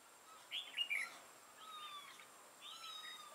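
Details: Red-whiskered bulbul used as a decoy to trap wild bulbuls, a bird with a 'mào lân' crest and dark bib, recorded 6 November 2018. It gives a short burst of bright, chirpy, warbled notes, with fainter thin whistles from other birds around.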